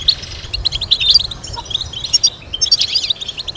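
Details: Goldfinch teaching melody: clean, high, tinkling chirps and short twitters in fast phrases, with a short break just before the middle, over a quiet background.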